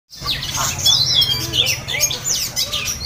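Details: Oriental magpie-robin (kacer) in a simulated singing-contest hanging session meant to train the bird's nerve: dense, rapid high whistles and chirps, sharp rising and falling notes packed closely together, with a steady low hum beneath.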